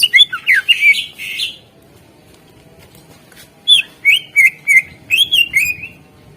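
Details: Greater green leafbird singing as a lure to prompt other birds to sing: a rapid run of whistled, slurred chirps, a pause of about two seconds, then a second fast series of bright rising and falling notes.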